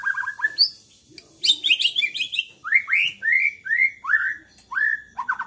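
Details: White-rumped shama singing agitatedly, the kind of song said to provoke other shamas into singing; rapid rattling notes, then a run of loud rising whistled phrases repeated about every half second, varied with sharp high chips.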